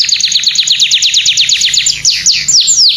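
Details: Serinus canaria domestica, a domestic canary, gives masteran song meant to tutor other birds: a rapid series of sharp descending whistled notes that slow toward the end into longer sweeping slurs.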